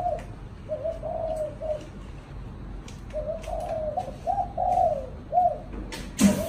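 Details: Pet spotted dove in a cage, Vietnam, a chạm đồng style singer, delivering low hollow coos in short phrases, pausing mid-sequence then resuming with a louder run of notes; faint clicks and a sharp knock at the end.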